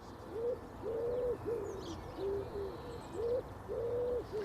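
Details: Common wood pigeons up in the trees all around in the UK repeat their familiar soporific five-bar call: soft, husky, low, muffled coos over and over, with faint background hum.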